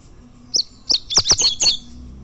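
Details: A champion tournament double-collared seedeater gives a quick burst of high, sharp chirped notes, about six packed into a second, with little else in the background.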